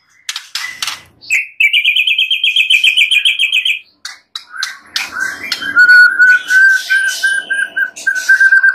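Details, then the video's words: Clear white-rumped shama song from a master recording meant to make other shamas sing keenly: scattered sharp notes, a long fast buzzy trill, then a steady series of rapidly repeated whistled notes. "Masteran murai batu full isian suara jernih || Pancingan kicau murai batu agar gacor"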